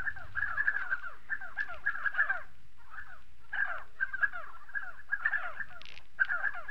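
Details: Flock of spotted sandgrouse calling in South Morocco, bursts of bubbling, chattering downslurred notes in overlapping runs broken by brief gaps of quiet, with a faint low rumble underneath.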